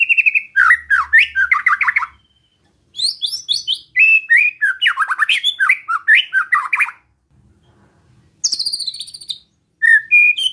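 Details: White-rumped shama song used to provoke other shamas: rich, rapid phrases of varied whistles and chattering notes sweeping up and down, given in bursts separated by short pauses.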